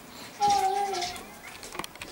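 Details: A common starling, recorded 26 May 2016, gives a drawn-out, steady mid-pitched whistle lasting under a second, followed by a few faint clicks and scratchy notes.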